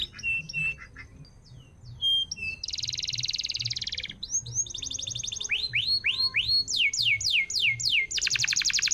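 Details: Canary song used to stimulate silent canaries into singing: varied phrases of fast buzzy trills, steady whistled notes and repeated downslurred sweeps, shifting between tours every second or two, with faint low background hum.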